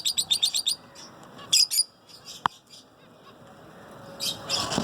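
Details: Zebra finches singing: a quick run of about six evenly spaced buzzy, harmonic notes opens, then a pair of louder chirps, a sharp click, and a closing burst of dense, rasping chatter.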